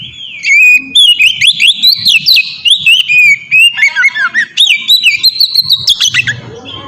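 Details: Oriental magpie-robin singing a melodious open song intended to train birds; nearly continuous rapid whistles, looping slurs and sharp chips in dense sequence, ending with a lower grating note.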